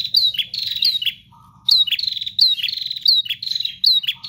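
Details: Prinia singing persistently without pause: bursts of sharp, high chirping notes repeated in fast phrases, broken by a short gap holding a low steady tone, over a faint low hum.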